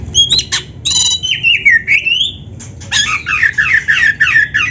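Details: Kacer (Oriental magpie-robin) song used to train other kept birds: loud, varied whistles, including a long slurred whistle rising then falling, and a dense burst of quick looping notes near the end.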